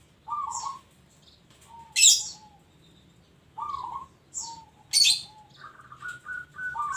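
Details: Local zebra dove cooing: short warbled, trembling notes repeated in several bursts, with sharp high chirps and clicks between phrases and a faint low hum behind.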